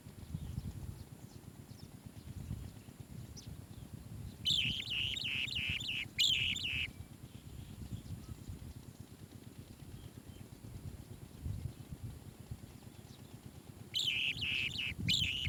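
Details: Asian green bee-eater chick in a nest cave, calling in two bursts of rapid, buzzy, trilled notes around the middle of the recording and again near the end, with low rumbling background noise between.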